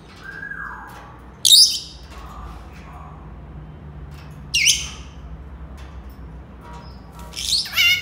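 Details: Senegal parrot calling: a soft falling whistle early on, then three loud, harsh, high squawks about three seconds apart over a quiet background hum.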